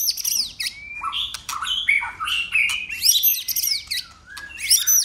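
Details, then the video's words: Fighting-song of a white-rumped shama, tail flicking and voice changing: rich, quickly varied whistles and sweeping notes with sharp clicks, a long level whistle sliding gently downward mid-phrase. "Chòe lửa hót đấuđập đuôi đảo giọng liên tục!. cực bền.chòe lửa hót nhiều giọng"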